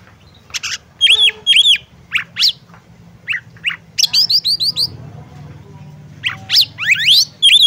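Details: Female oriental magpie-robin calling a male to prompt his singing: a lively string of high, sharp chirps and upswept squeaky notes mixed with dipping double notes, delivered in irregular bursts of two to four, with a faint low hum beneath.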